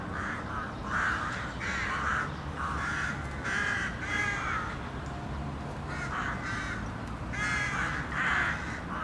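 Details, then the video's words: Urban crow flock cawing continuously, repeated hoarse calls roughly every second from several birds overlapping, over steady low city noise. "A Murder of City Crows"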